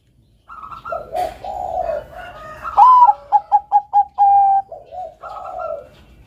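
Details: Bangkok zebra dove singing steadily, a melodious master song for training doves: burry lead-in coos, then a bright rising coo, five short clipped notes, a drawn-out level coo and soft trailing lower coos.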